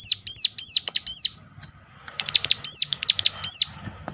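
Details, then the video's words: Sunda warbler lure call: sharp high hooked notes, a pause, then a denser jumble of chirps and notes. "ngecall tajam ciblek gunung || pancingan ampuh sontak cigun lain buka paruh."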